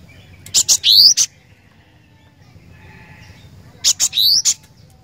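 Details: Cinereous tit in vigorous song gives two identical phrases about three seconds apart. Each has clipped high ticks, then a rising whistled sweep and a final tick, with quiet between them.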